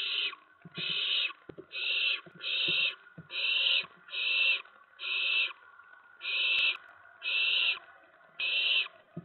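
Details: Owlets hissing in a nest around 2 AM on 10 September 2017 while a mouse and a rat are delivered; ten raspy bursts, mostly one per second with one longer pause, faint scratching sounds.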